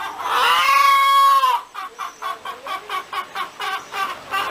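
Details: Cackling hen opens with a long, loud, rich drawn-out note, then breaks into a steady run of short clucks about every third of a second.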